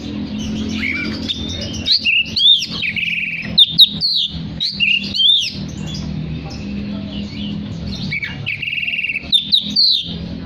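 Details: Actively singing oriental magpie-robin, played to call other magpie-robins so they join in: varied whistled phrases with sweeping slurs and short rattling notes, broken by brief pauses, over a steady low background hum.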